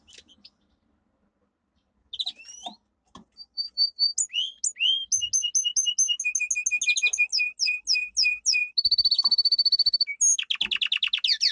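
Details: Caged domestic canary training song. It opens with a few scattered chips, then builds into fast repeated whistled notes and a long steady buzzing trill, closing with rapid descending sweeps.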